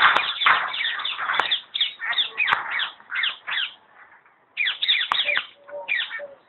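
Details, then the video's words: Common hill myna (talking bird) at Alipore Zoo Garden, Kolkata, India, mimics speech in quick, rich, warbling bursts of slurred rising and falling syllables, pauses near the middle, then chatters more with low whistled notes. "The Hill Myna is Taking"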